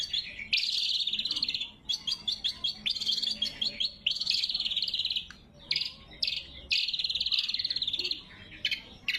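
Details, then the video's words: Loud, sharp greater green leafbird song recorded without added effects as lure and training material: sustained rattling trills alternating with clipped staccato notes, each run lasting about a second before a short gap. "Suara Burung Cucak Kombo Gacor | Masteran & Pikat Cucak Kombo"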